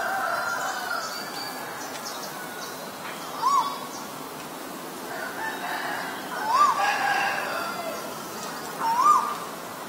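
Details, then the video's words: Male Asian koel repeating a short, clear note that climbs and peaks sharply, three times at roughly three-second intervals, against a steady background of other birds twittering. "นกกาเหว่าตัวผู้ (Asian koel, Male)"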